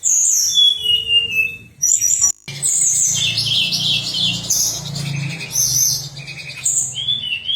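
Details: Pied fantail song used for contest training, with high descending whistles and then dense chirping phrases over a low steady hum in the background.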